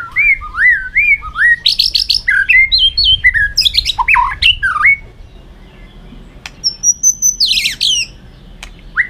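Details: White-rumped shama giving its fighting song as a training call: looping whistled phrases, buzzy high notes and sharp sweeps packed together for about five seconds, then a pause and a brief high flourish.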